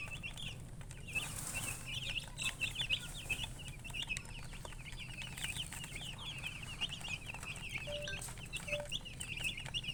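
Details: Chicks cheeping continuously, many short shrill notes overlapping, a brief hiss around the start, and a steady low drone throughout.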